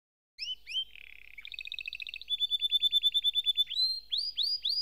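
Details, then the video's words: Canary song beginning after a brief silence with two upslurred notes, then a low buzzy warble, a long evenly pulsed rolling trill, and a final set of clear rising notes. "Canary SINGING"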